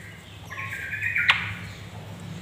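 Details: Female yellow-vented bulbul calling to lure males into singing: a single harsh, buzzy, chattering burst lasting about a second, then a sharp click, over a steady low hum.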